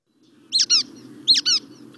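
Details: Brown-headed Nuthatch call from a playback recording used to lure birds into mist nets for reintroduction to Missouri; two rubber-duck-like squeaks, each a pair of quick nasal harmonic notes, about three-quarters of a second apart, over a low hum.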